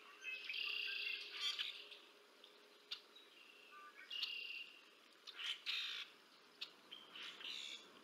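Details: At the Decorah North bald eagle nest, recorded by camera on 30 March 2024 as an adult feeds two chicks, high-pitched chattering chirps arrive in short clusters separated by brief quiet spells, over a faint low hum.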